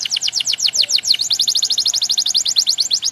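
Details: Male canary singing to teach young birds: an even, rapid tour of high downward-sweeping syllables, about nine per second, held throughout without a break.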